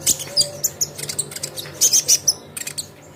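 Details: Konin lure sound: rapid, shrill high-pitched chirps and squeaky notes tumbling in quick succession, sounding busy and excited.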